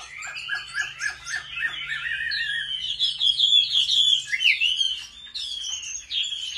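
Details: Chinese hwamei trained at home for singing contests opens with a quick series of repeated chirps, then breaks into loud, rolling whistled phrases with sharp upward and downward slurs, a steady low hum in the background.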